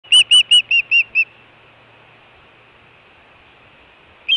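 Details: Osprey at the Hellgate nest, Montana, on 24 June 2017, where both food calling and alert calling are heard: six sharp, whistled, high cheeps in quick succession, then a quiet pause and the start of another note.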